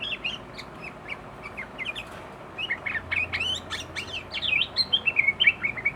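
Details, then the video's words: Sooty-headed bulbul, worked up and spilling out its learned fill-in material: clear whistled notes at first, then a fast, loud cascade of bent and slurred whistles and chirps rising in intensity, with a low hum underneath. "Burung kutilang emosi muntahin isian"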